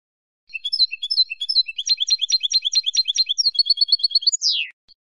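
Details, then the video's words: European goldfinch song played to novice birds to motivate them to sing: rapid high twittering of short repeated notes, phrases shifting every half second or so, ending in a loud buzzy note sliding steeply downward, then one brief chip. "CANTO DE JILGUERO para NOVELES y MOTIVAR a CANTAR"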